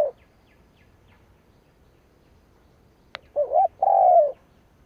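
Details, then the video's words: Spotted dove kept as a decoy, calling to provoke rival birds: after a sharp click, a short wavering coo and a longer even coo follow. "Cu mồi gáy gù / Tiếng chim cu mồi kích bổi / Cu mồi gáy bổi nghe hăng máu"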